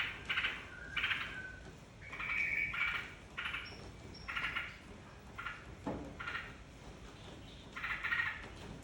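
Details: Yellow-vented bulbul lure song to set other birds singing: a long series of short gurgling, chattering phrases at irregular intervals of about half a second to a second, some with thin whistled notes over a constant faint whine.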